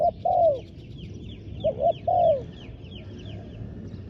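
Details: Decoy spotted dove on the ground calling wild doves: two phrases of short notes followed by a long, sliding-down coo, while another bird gives a series of thin descending chirps behind.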